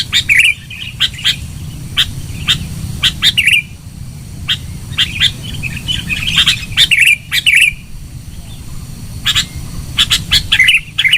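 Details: Loud sooty-headed bulbul song used as a lure: short bubbly whistled phrases around mid-high pitch, repeated in bursts, with sharp broadband clicks and a steady low rumble underneath.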